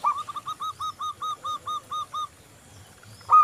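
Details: Local zebra dove, sung to prompt other doves: about ten clear, even cooing notes in a steady rhythm, a pause, then the start of a louder coo.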